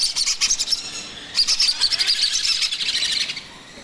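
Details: Young macaw chick at feeding time gives a fast series of harsh, high, pulsed squeaks, loud in two runs separated by a brief break, then fading toward the end.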